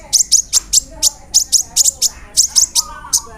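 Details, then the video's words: Sunbird (kolibri ninja) song with mimicked fillers of cricket, cililin and sparrow, used to provoke another bird to sing: sharp high buzzy ticks in a rapid irregular series, with faint lower whistles behind. "PANCINGAN SUARA BURUNG KOLIBRI NINJA (KONIN) ROLL NEMBAK, ISIAN JANGKRIK, CILILIN, GEREJA, CERR"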